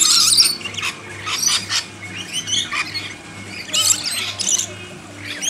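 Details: During backyard hand-feeding, lorikeets utter shrill squawks and chirps in irregular clusters, loudest at the start and near the four-second mark, over a faint low hum.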